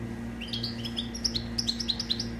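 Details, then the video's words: Kept European goldfinch song used to tutor young goldfinches: a run of high twittering notes quickening into a steady series of bright chirps, with a low electrical hum beneath. "تغريد حسون خالي من الأخطاء لتسميع فراخ الحسون"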